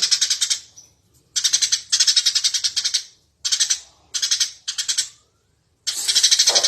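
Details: Eurasian tree sparrow in lively, energetic voice, used as a master recording for training birds: rapid bursts of high, sharp chirps strung in quick series, about six bouts separated by short silences.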